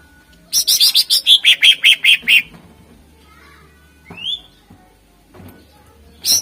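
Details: Greater green leafbird in full, lively song, used to lure contest birds: a rapid run of about nine bright, buzzy notes, falling step by step from high to lower pitch over two seconds, then a single rising whistle and a short end burst.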